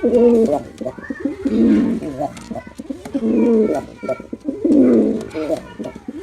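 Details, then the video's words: Performing male pigeon producing deep, rolling coos in roughly three swelling phrases, each a throaty warble, with faint background noise between them. "Male Pigeon Super Performance || Male Pigeon Sound"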